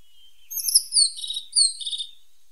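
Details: Tit song of sweeping, high, whistled notes. A slurred descending phrase is followed by a second falling whistle that ends in a lower buzzy tail, all over a faint steady hiss.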